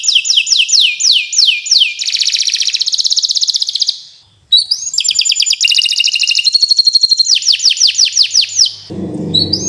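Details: Canary singing nonstop 'gacor' song, a tutoring master for birds that have stopped singing. It opens with evenly spaced downward swoops, moves into a fast buzzy roll, breaks briefly, then resumes with trills and slurred notes.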